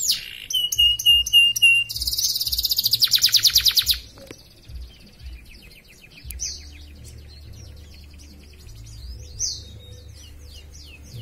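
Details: Caged canary entered in an online canary-class singing contest, from Pontianak, West Kalimantan, Indonesia. It sings rapid repeated whistled notes, then a fast buzzy trill, then varied chirps and slurred whistles over a low steady hum.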